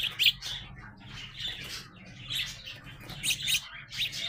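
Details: Young house sparrows growing up chirp repeatedly, short high notes singly and in pairs, with softer chatter between and a low hum underneath.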